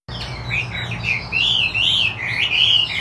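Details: Chinese hwamei of the wambi putih type singing gacor style: a continuous run of rich, warbling whistles that rise and fall, with brighter looping phrases in the second half, over a faint low hum.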